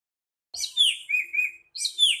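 A nightingale sings a short phrase: a bright, falling whistle, then two lower, fluty notes. The phrase starts again a moment later with no other sounds.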